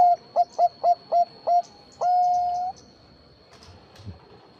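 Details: Zebra dove of the Bangkok type, played as a lure to get other zebra doves to respond: six quick staccato coos ending in one sustained flat note of nearly a second, then quiet with faint rustling and a high hum.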